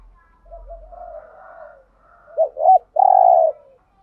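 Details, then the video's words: Wild-dove lure cooing from spotted doves. A soft, wavering murmur gives way to two sharp looped notes and a loud, drawn-out, level coo with a faint low rumble early on. "chim cu gáy kích bổi thúc gù/ chim cu gáy mồi bài bản [ thúc gù. gáy gọi ] bổi nghe gáy theo 100%"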